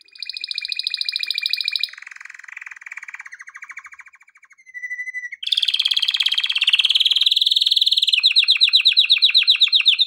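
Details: Male canary singing, recorded for song training: a run of rapid trilled tours, from a bright high roll to lower buzzy trills and a clear whistled note, ending in loud fast high rattles repeated about four per second.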